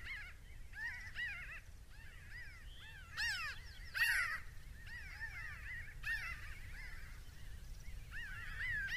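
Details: A large flock of Pinyon Jays flying over pinyon-juniper woodland in the mountains of Arizona, recorded binaurally: many overlapping nasal, quavering, arched calls, several each second, over a low background rumble.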